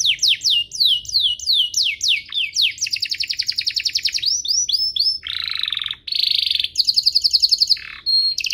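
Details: Canary song used as a master recording to train young canaries and stimulate singing: rapid series of descending whistled sweeps, then fast trilled rolls and buzzy tours, bright high notes changing every second or so, continuous and loud.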